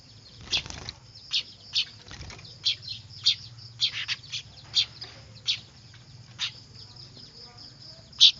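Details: Noisy weaver (manyar) chicks used as a lure: spaced, sharp high chirps every half second to second, with quieter chatter between and a faint constant whine.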